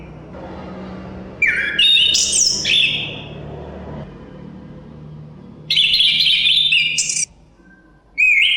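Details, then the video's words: Chestnut-capped thrush delivering loud whistled phrases of stepped high notes, with a brief third phrase starting at the end. Steady wind noise is audible throughout. "Suara Kicauan Burung Terapi Anis Kembang Ada Suara Angin"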